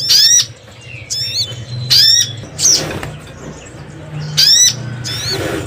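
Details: Crimson sunbird lure sound, known locally as sogon: separate high, sharp chirp bursts spaced about a second apart with quiet gaps between, and a low steady hum underneath.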